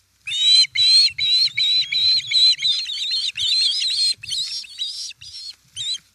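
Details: At a nest in Estonia on 1 September 2019, an osprey gives loud, strained whistled chirps, long and slightly rising, nearly continuous for five seconds, around a fish delivery in late afternoon.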